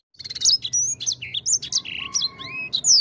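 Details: Grey singing finch (Crithagra leucopygia), song.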